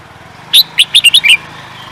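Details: Bird kept for singing contests, where winners fetch higher prices, giving one loud, rapid burst of about six sharp chirping notes with harmonics, each note slurring downward, all within under a second against a quiet low hum.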